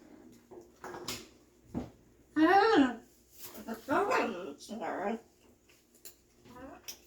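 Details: Pet macaw indoors in a small room, repeating a conversation it overheard about two months earlier about 2020 being a hard year; several loud, voice-like phrases with harmonic bands, separated by short pauses, and faint background noise.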